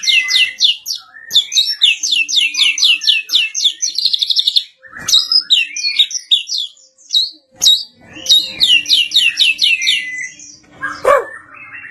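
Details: Champion competition white-rumped shama in full song: dense bursts of fast, repeated downslurred high notes and chattering phrases, with short pauses between bursts and a few harsher notes.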